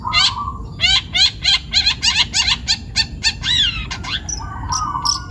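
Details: Young forest long-tailed shrike from Pati, Central Java, singing energetically: rapid run of chattering harmonic notes, around three per second, ending in a drawn-out rising phrase and squeaks, with a low whistled tone near the start and end.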